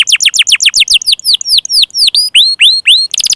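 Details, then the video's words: Prompting song for canaries that are stuck, lazy or young: quick downslurred notes speeding along, then slower arching whistles, closing with a short buzzy burst. "SUARA PANCINGAN KENARI MACET,, MALAS BUNYI DAN KENARI PAUD"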